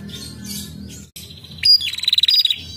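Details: Female prinia used to draw other prinias into calling: after a faint murmur of distant sounds, a sharp rising note gives way to a rapid stuttering rattle of high pulses near the end.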